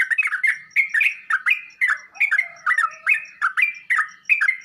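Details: Sooty-headed bulbul singing, played to set other kept bulbuls answering: bubbly, slurred mid-pitched phrases in quick bursts, roughly one a second, a low soft note in the background.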